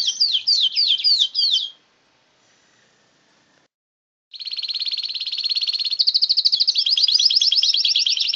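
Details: Pet canary singing vigorously: a burst of quick high downslurred notes, a short silence, then long rapid rolling trills that shift into faster chirped runs.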